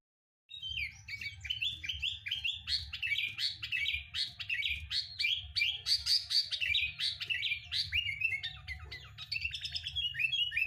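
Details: Sooty-headed bulbul song used as a lure recording to prompt kept bulbuls to sing quickly. It is a lively, continuous stream of varied chirps, slurred whistles and quick trills, with a steady low hum underneath.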